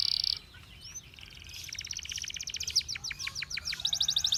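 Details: Canary singing in a training recording for canaries: a loud buzzy burst, a quiet pause with faint slurred notes, then a building rapid trill of evenly repeated chips growing louder toward the end.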